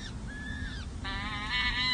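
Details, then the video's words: Four young peregrine falcon chicks at the San Jose City Hall nest during a feeding, 7 May 2024: a few drawn-out arched notes, then a harsh, rasping call rich in overtones, over low hum. "San Jose CH Falcons: Hartley feeds 4 chicks 🐥🐥🐥🐥 Monty serenades 🎶"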